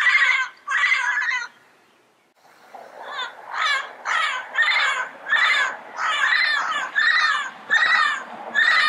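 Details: Loud, harsh squawking by a yellow-headed parrot in the wild, two calls, a pause, then a steady sequence of about ten raspy notes roughly every half second.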